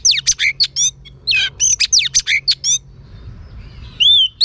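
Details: Female Oriental magpie-robin calling to stimulate males: loud, rapid bursts of varied sharp whistles and slurred notes, a brief pause, more bursts, then a clear sustained whistle.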